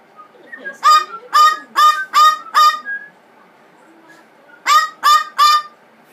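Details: Angry pet blue-fronted amazon screaming after a spray of water and rose water: five harsh, nasal, honk-like squawks in quick succession, a brief lull, then three further grating screams, loud and close.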